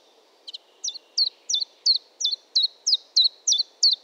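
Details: Common chiffchaff singing: a steady series of eleven high, sharply descending notes, roughly three per second, with a faint low hum in the background.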